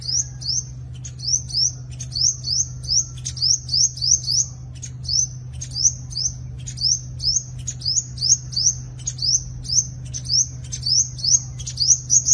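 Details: Rising high-pitched upslurred notes from a sunbird, delivered in brisk pairs and triplets again and again as a fighting song meant to lure rival birds, with a constant low mechanical hum behind.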